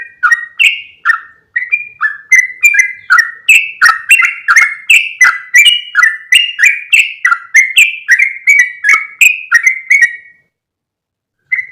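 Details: Yellow-vented bulbul lure call, meant to draw others of its species in. A long, energetic series of about thirty rapid, gurgling whistled chirps stops after ten seconds, leaving silence and a final faint note.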